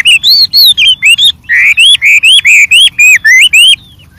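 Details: Wild white-rumped shama in full varied song: rapid evenly spaced whistled notes, each sliding upward, in a brisk string that stops abruptly, leaving a faint thin note.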